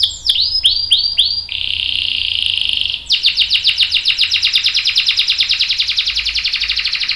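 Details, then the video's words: Canary song used as a master recording to train young and adult canaries: repeated downward-sweeping whistles, then a sustained buzzy roll, then a fast rattling trill of rapid notes. "KENARI GACOR NGEROL PANJANG bagus buat pancingan dan masteran kenari paud dan dewasa"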